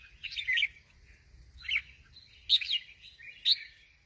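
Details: Sooty-headed bulbul in active song, giving short bubbly chirped phrases spaced about a second apart, each a quick cluster of bright notes, with faint low background noise.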